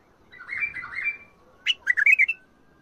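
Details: Bulbul singing prized song styles from Mandali and Badra: a low, rolling warbled phrase, a short pause, then a bright, quick run of five or six clear whistled notes, with the room otherwise quiet.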